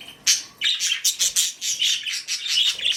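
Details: Budgerigar mother on duty at the nest, giving a rapid run of bright, chattering chirps and warbles, closely spaced bursts with little pause between them.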